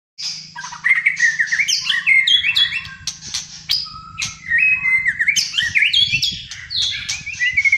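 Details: A Malaysian white-rumped shama of fighter type sings in full: a rich, varied stream of loud whistles, slurred rising and falling notes, and sharp chattering phrases, with a low hum underneath.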